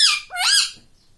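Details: Two quick, squeaky, rising-then-falling syllables from a pet rose-ringed parakeet said to be saying "mummy".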